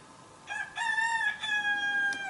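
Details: Rooster in a Western Siberian village on a slow, foggy, cool morning, one of several answering each other. A single crow opens with two short stuttered notes, then a long steady harmonic call that drifts slightly downward at the end.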